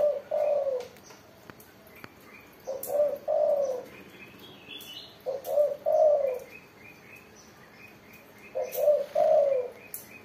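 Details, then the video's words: Spotted dove cooing in loud song, low hollow coo phrases repeated about every three seconds, each a short stutter followed by a longer rolling coo, with faint higher chirps of other birds in the background. "burung tekukur derkuku gacor suara mersik"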